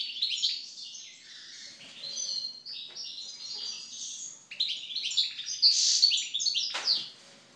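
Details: Goldfinch song after moult: quick, jangling twitters and slurred whistled notes in bursts, a short pause midway, then a louder tinkling run with a sharp clicky note near the end.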